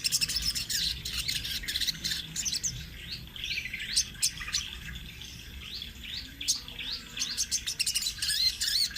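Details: Crimson sunbird, spotted 'trotol' type, singing an energetic rolling 'ngerol' song used as a master for training birds: rapid high thin chirps, sweeping notes and short trills, in irregular bursts throughout.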